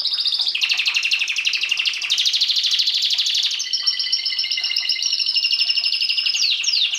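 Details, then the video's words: Canary in full song: a dense, loud, continuous rapid trill of high notes lasting the whole seven seconds, switching tone midway into a thinner, higher warbling run. "Canary singing"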